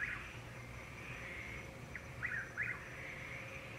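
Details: Chuck-will's-widow in Florida, calling in the dark to find a mate, late April or early May: one whistled phrase near the end, a short note, then a swooping rising-falling whistle, over a steady trilling chorus of tree frogs.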